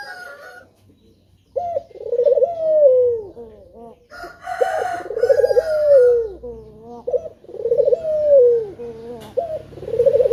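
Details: A lively male spotted dove gives lure coos meant to set other doves singing. Each phrase opens with a short note, then a long warbling coo falls away. Several phrases are repeated, with some clattering noise in the middle.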